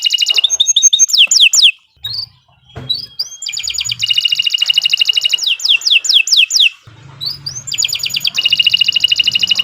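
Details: Canary, Kenari Nusantara, delivering extended gacor song as a masteran for other birds, with runs of falling swept notes, a thin held whistle, and long bursts of fast pulsing trills separated by short pauses.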